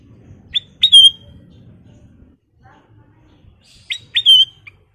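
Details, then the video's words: Sooty-headed bulbul singing. A short clear whistled phrase of two quick notes and a sustained bright note comes twice, about three seconds apart, over soft low background noise. "Kicau Burung Kutilang Emas Gacor full version"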